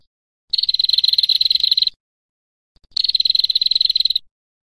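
A female prinia gives two rapid, dry ticking rattles, each about one and a half seconds long with a short pause between; no other sounds.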